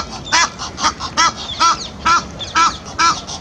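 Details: Egyptian geese, a pair, seeing off an intruding pair along the Serpentine's edge; raspy honking calls in evenly spaced bursts about twice a second, each with a strained, buzzy tone.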